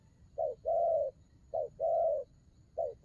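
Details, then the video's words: Spotted dove cooing: a short low coo followed by a longer, drawn-out steady coo, the pair repeated about every 1.2 seconds in a quiet setting with faint low background hum. "Đồng gù rước tốt"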